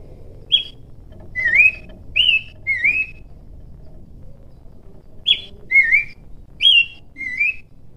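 An Abbott's Babbler sings clear, sweet whistled phrases of a few notes, each phrase repeated after a pause.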